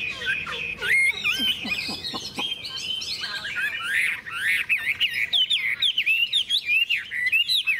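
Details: Tame Chinese hwamei for sale, singing in its cage in morning sunshine after fresh food: a lively jumble of twisting whistles, squeaks and fast chattering phrases.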